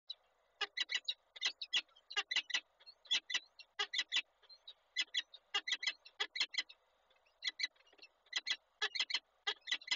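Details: Male peregrine falcon bringing breakfast to the female at Koszalin on 27 April 2022: dense bursts of harsh, grating chip notes, often in quick pairs or triplets, repeated steadily throughout with short gaps.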